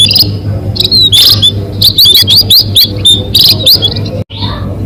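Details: Munia calls meant to attract birds for trapping. Scattered high chirps give way to a quick run of sharp, upward-flicking notes, then a sudden brief cut near the end, over a low hum.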